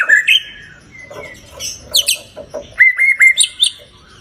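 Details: White-rumped shama song used as a lure for a pet bird: quieter clear whistles, scattered sharp chips, and a short series of evenly spaced whistled notes near the end.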